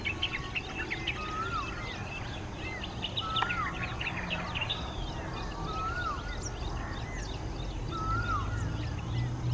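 White-browed bulbul giving a short, mid-pitched whistled phrase that dips then rises, repeated about every two seconds, over a busy chorus of higher chirping birds and low rumble.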